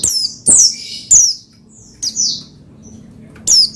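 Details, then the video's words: Oriental white-eye (pleci) singing to stimulate another pleci to sing: sharp, very high squeaky chirps and short descending twitters in bursts about every half second to a second, separated by brief pauses. "Menaikan Emosi Burung Pleci Bahan Agar Pleci Gacor Cepat Bunyi Rajin Gacor"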